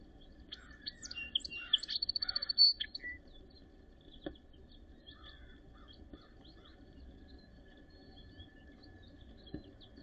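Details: Song sparrow singing in snowy weather at the end of April 2023, Northern Ontario: a jumbled burst of varied chips followed by a fast run of repeated high notes and a sharp final phrase, then quiet with occasional clicks.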